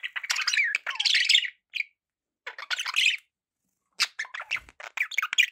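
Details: Pet budgies warbling and chattering: long busy runs of twisting, scratchy notes and squeaks with short gaps, plus a brief low knock.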